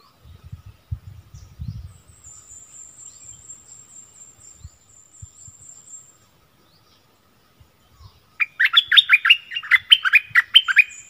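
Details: Streak-eared bulbul decoy bird, 16 February 2021: after low rustling and a long, high, thin buzz, a lively run of bubbly, chattering notes breaks out near the end.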